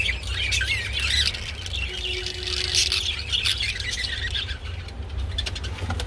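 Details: Budgerigars calling during mating: a rough, buzzy chattering warble with squealing notes, loud for the first few seconds and easing slightly later, over a persistent low hum.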